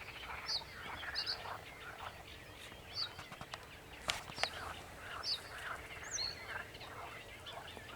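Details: Sedge warbler song recorded 28 June 2021 with a second bird also singing: sharp high chirps and brief squeaky notes interleaved with rapid, harsh chattering phrases, plus a few clicks and a low background hum.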